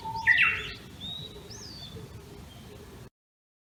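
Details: Japanese bush warbler that returns each year, singing in a bamboo grove in Tokyo's Tama area at early morning on 26 May 2019, heard from a house's second floor: a short buzzy burst, then thin high whistles and a rising slur.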